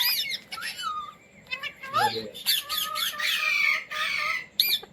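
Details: Pet Indian Ringneck parrot taught to say words such as "mummy" and "roti roti": bursts of harsh, high squawks mixed with short, gliding, voice-like syllables, with a louder burst midway and a final sharp note.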